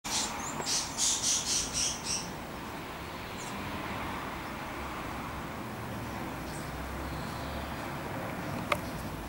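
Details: A Fieldfare (Turdus pilaris) calls, giving a quick burst of about six harsh, chattering chack notes, then falls silent over a steady rumble of background noise.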